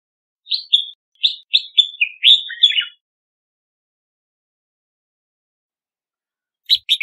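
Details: Red-whiskered bulbul delivering a measured series of clear whistled notes, some rising, ending in a tumbling warble, then a long pause before a harsh chirp starts again.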